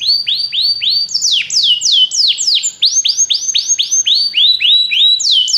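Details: Belgian canary, sung to stimulate other canaries, delivering varied curved whistles, some rising and some falling, repeated several times a second with layered overtones.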